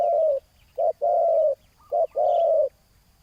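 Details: Rival spotted dove answering a ground-placed decoy: loud, husky two-part coos, a short note then a sustained purr, repeated in a steady rhythm with a faint high chirp in between.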